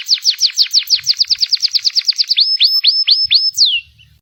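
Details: Canary of the local Panda type delivering a string of quick descending slurred notes, then several rising whistled notes and a final downward sweep, brisk and repetitive, with faint low knocks in the background.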